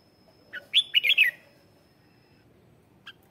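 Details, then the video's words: Red-whiskered bulbul lure song for calling wild birds, performing with a vigorous, fiery delivery: one short phrase of bright, warbled whistled notes around the middle, then a faint single note near the end over quiet background. "Tiếng chào mào mồi hót gọi bổi má trắng, kích bổi sổ bọng hót căng lửa"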